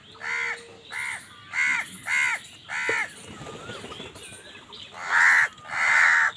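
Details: Crows quarrelling with wild birds over food give five evenly spaced hoarse caws in a row. After a short pause come two louder, raspier caws, with faint whistles from other birds behind them.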